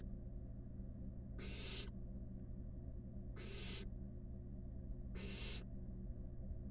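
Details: Three evenly spaced, noisy hissing rasps, each under half a second and about 1.7 seconds apart, come from five wild barn owl nestlings cuddled together in a nest box. A steady low hum continues beneath them.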